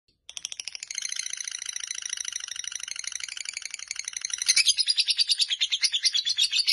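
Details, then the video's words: Fighter lovebird in a long ngekek chattering run, the full song lasting nearly four minutes: a dense, high, rattling chatter of fast repeated notes, rising in loudness and becoming sharper, more strongly pulsed near the end. "Lovebird Fighter durasi hampir 4 menit"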